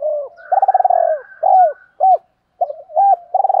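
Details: Spotted doves, male and female, cooing to stimulate caged birds in training. A long vibrating rolled coo follows a soft opening, then several short falling notes and a softer warbled ending phrase.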